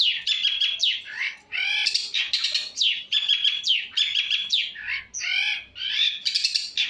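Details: Long-tailed shrike singing a full-variation song, recorded on a phone: rapid varied high phrases of whistled slurs, buzzy harmonic notes and sharp chirps, packed tightly with brief pauses, no other clear sounds.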